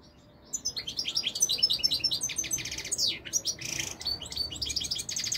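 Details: European goldfinch, known locally as royal goldfinch, in Morocco, beginning after a brief pause with fast, jangling high twitters and buzzy rattles that continue steadily.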